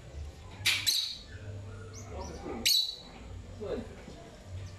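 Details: A pet lovebird exploring and singing. It gives a quick pair of piercing high chirps, then a lone sharp chirp a couple of seconds later, over steady low room hum.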